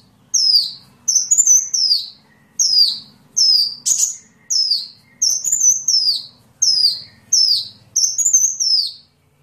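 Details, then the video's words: Sunbird singing for songbird training: about ten high, sharp whistled phrases, each sweeping downward, repeated roughly every second in a steady rhythm, one brief buzzy rasp among them. Quiet background with faint low hum. "Masteran burung Kolibri"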